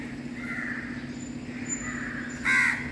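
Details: A disabled crow gives a few nasal caws, two faint and one loud and harsh at the end, over a steady low mechanical hum.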